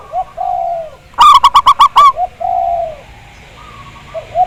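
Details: Zebra dove, a local Javanese perkutut with a big voice, singing on a lure recording used to prompt other doves to sing: mellow drawn-out coos, then a quick burst of six clipped, ringing staccato notes, then more low coos.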